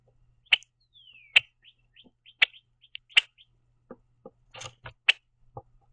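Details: Red-winged Blackbird feeding on sunflower seeds at a backyard platform feeder, giving sharp, dry check notes at uneven intervals, about one per second, with a brief down-slurred whistle and some soft knocks.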